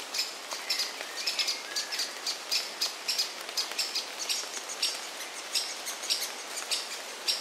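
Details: A great spotted woodpecker chick calls from its nest hollow with a parent nearby while the other parent is heard in the distance; continuous quick high chirps over broad background noise.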